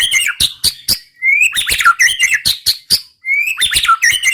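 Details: Murai batu (white-rumped shama) in continuous roll tembak song: sharp chip notes, upward-swept whistles, and tumbling warbled phrases, repeated twice with a short break between.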